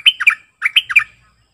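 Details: Sooty-headed bulbul song: two short phrases of loud, liquid chirps, each a quick run of three or four slurred notes with a high whistled start, sung close and clear with a faint low hum behind.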